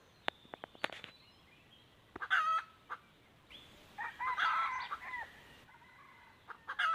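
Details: Wild chickens, two birds, lured with a hen decoy, recorded 1 April 2024: sharp clicking taps open, then a harsh drawn-out crow near two seconds and a longer strained crow around four seconds, another starting at the end.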